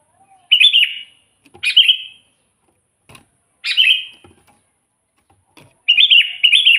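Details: Sooty-headed bulbul singing energetically, a lure for wild bulbuls: four phrases, longer rolling warbles at the start and end framing two shorter bubbly notes, with faint taps between.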